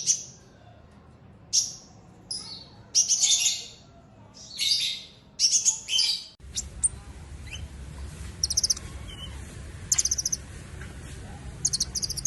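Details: Purple-throated sunbird chirping loudly: a run of high, sharp bursts of notes in the first half, then an abrupt change to a noisier background with fainter, quick ticking chirps.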